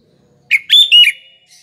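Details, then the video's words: Sooty-headed bulbul used as a lure for morning, afternoon and night. It gives one short, loud, fluty phrase of three or four liquid whistled notes, slurring up and down, followed by a faint trailing note. "BURUNG KUTILANG GACOR || Coba untuk PANCINGAN PAGI, SORE & MALAM HARi"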